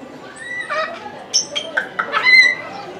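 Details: Sulphur-crested cockatoo calling over and over at Omiya Park small zoo, Japan, in December 2017: loud, harsh, raspy squawks in quick ragged bursts across two seconds, over a low murmur of visitors.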